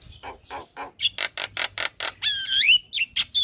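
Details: Javan myna morning call intended to bring responses from other mynas; a series of grating noisy bursts, then a long stretched wheezy whistle and a few short bright notes.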